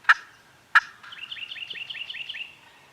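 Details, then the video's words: Farm turkeys gobbling, filmed with a Canon G7X: two loud gobble bursts followed by a quicker, warbling run of higher, rippling notes that fades out. "Turkeys Are Gobbling"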